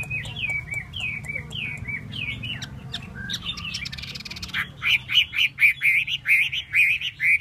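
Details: Hwamei displaying with its tail spread: a string of down-slurred whistles repeated about twice a second, a short buzzy burst, then loud, rapid, ringing repeated notes.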